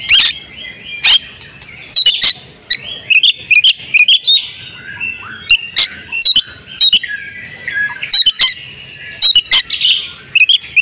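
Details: Oriental magpie-robin female in breeding condition, kept to prompt male singing; sharp clicking chips and thin whistled notes fall in uneven bursts, the chips loud and abrupt.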